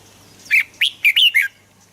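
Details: Red-whiskered bulbul song meant for playback to excite birds: one short burst of four loud, liquid whistled notes near the middle, each with a sharp rising or falling inflection, then quiet background.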